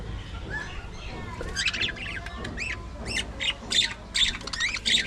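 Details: Budgerigars kept as a colony in an aviary squawk and chirp in quick sharp bursts, harsh notes stacking up toward the end over a steady low hum.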